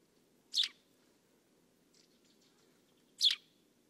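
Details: Eurasian Tree Sparrow (Passer montanus) gives two loud, harsh chirps about three seconds apart, with faint softer notes between and a low background hum.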